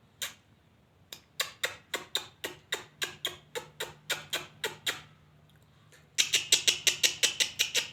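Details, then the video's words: A lovebird gives shrill, sharp chirps, about three or four a second, in a steady run; after a brief pause they come back louder and harsher. "beautiful singing sound of love bird"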